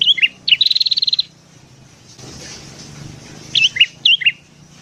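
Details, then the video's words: Sooty-headed bulbul singing in the morning, for luring wild bulbuls: quick whistled notes, a long buzzy trill, a quieter pause with soft noise, then two pairs of bright, bouncing whistled notes. "BURUNG KUTILANG GACOR DI PAGI HARI"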